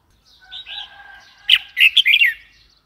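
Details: A red-whiskered bulbul gives soft lead-in notes, then a loud burst of quick, jerky whistled notes rising and falling, lively and liquid.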